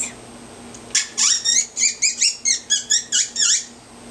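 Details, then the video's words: Pet African grey parrot nearly 18 years old, at home making noises: a rapid series of about a dozen high, squeaky chirped notes in quick succession after a brief pause, in a quiet room. "Milo African Grey making noises"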